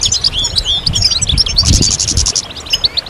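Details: European goldfinches singing as a group, mating and readiness calls meant to rouse silent males; tumbling high twitters and buzzy chirps fill the first seconds, then thin toward brief scattered notes, with low rumbling.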